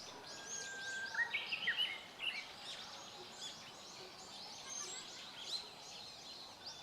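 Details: Unseen thrush, owner suspects pale thrush but notes similarity to other thrushes, possibly song, 4 April 2015: one short phrase of clear, slightly fluty whistles, with thin chirps of other birds and steady hiss.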